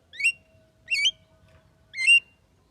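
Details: Javan myna, described as a talking bird in active song, giving three upslurred, harmonic-rich whistled notes about a second apart, each sharply rising then levelling off, over a quiet background with a faint steady hum.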